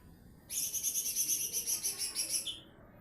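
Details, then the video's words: Lesser green leafbird, small form, singing actively: a fast run of high, buzzy, rapidly repeated notes lasting about two seconds, steady and even, against quiet low background hiss. "CUCAK IJO MINI GACOR NEMBAK"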